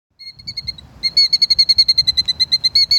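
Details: A female plover defending her nest, angry, gives a rapid, insistent string of sharp, high piping notes, about eight or nine a second, after a few softer opening calls.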